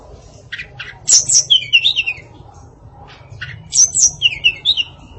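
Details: Female hill blue flycatcher (tledekan) with a varied song in two bursts of sharp high notes and quick tumbling descending phrases, separated by a pause with short low chips.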